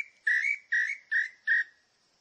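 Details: Small-billed tinamou, known locally as inhambu-chintã, repeats four strong whistled notes about every half second, each a short slurred whistle that rises then dips, with a faint steady high hiss behind.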